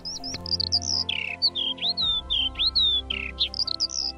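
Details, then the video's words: A Eurasian skylark sings in spring in Poland, a migrant just returned from wintering in the Mediterranean or Western Europe, pouring out a fast, unbroken stream of high chirrups, slurred whistles and short trills over soft background music. "Posłuchajcie śpiewu skowronka"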